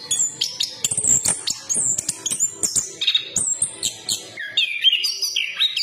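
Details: Chestnut-capped thrush, known locally as anis kembang, singing a fast run of varied high whistled phrases, some sliding and some clipped, with short notes packed closely together and little pause between them.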